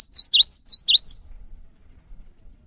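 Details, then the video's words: Cinereous tit in a lure recording to prompt other birds to sing, giving a quick burst of about six high, sharp whistled notes that dip and rise within a second, followed by near silence. "GELATIK BATU LANGSUNG GACOR SETELAH MENDENGAR INI"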